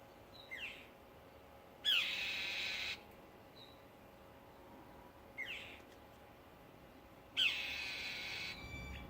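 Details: A bird on Memorial Day weekend gives a short, high, falling chirp, then a harsh, hissing, buzzy burst about a second long, the pair repeating once about five seconds later.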